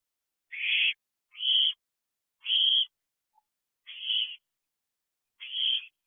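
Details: At night in an owl box on 19 June 2022, ten-week-old owlets wait for a food delivery, giving five drawn-out hissing screeches spaced roughly a second apart against silence.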